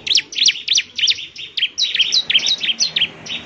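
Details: ['Bar-winged prinia pouring out fast, high chirps roughly three per second, some notes sharply rising then falling, in a gacor song meant to set other prinias answering.']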